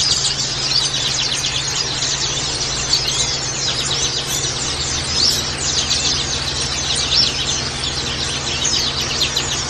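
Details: A chorus of many white-eyes, meant as training audio to get kept birds singing. Bright, high twitters and quick chirped phrases pile up without pause for about ten seconds, with a constant low hum underneath.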